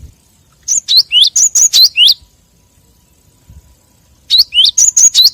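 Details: Lure recording of a cinereous tit, meant to provoke other tits. Two bursts of about eight rapid, sharp, high, down-slurred chirps are separated by a second of near silence. The background is quiet.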